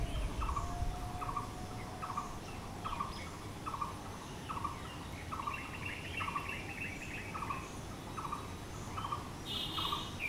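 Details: Blue-throated barbet repeating its call, a long regular run of short mid-pitched notes under a second apart, while another bird adds a buzzy, higher phrase midway and a brief high chirp near the end.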